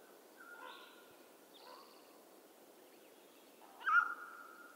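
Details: Two soft notes from a mountain quail in western North America, then one loud, sharp note that stretches into a steady held tone.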